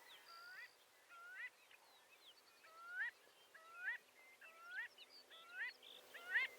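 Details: Marbled godwit calling in irregular bursts of nasal, upslurred notes, several overlapping as from more than one bird, spaced unevenly over a faint hissing background.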